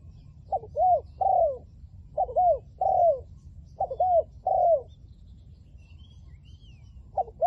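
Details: Decoy spotted dove luring wild doves, giving 'liu tan' style cooing: repeated phrases of a stuttered note, an arched coo and a drawn-out falling coo, with pauses between phrases and steady low background hum.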